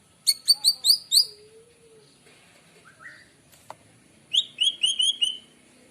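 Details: White-rumped shama song in the morning, used to lure birds: bursts of bright, rapidly repeated whistled notes with buzzy harmonics, a low drawn-out whistle, a short rising phrase, a sharp click, then another quick run of notes.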